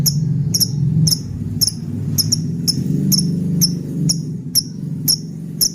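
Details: Lovebird calling, played as a tutor recording for training other birds: shrill, sharp chirps repeated roughly twice a second, fairly irregular, above a constant low droning background.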